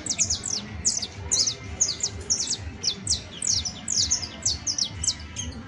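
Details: Rapid professional song of a saffron finch: loud, high, down-slurred chirps in quick pairs and triplets, repeating almost continuously with a faint low hum beneath.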